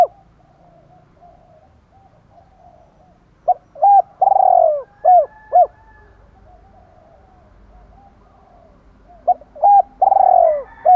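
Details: Decoy female spotted dove calling to excite males: faint low murmurs, then a burst of short coos and one long falling coo, repeated after a pause in a two-ending-note pattern.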